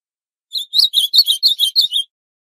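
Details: Ultramarine grosbeak of the northeastern Brazilian form (azulão-do-nordeste), singing a great deal: a quick string of about nine bright, sweet, slightly warbled notes at a brisk, even pace on a clean, quiet background; recording meant for training and warming up captive birds.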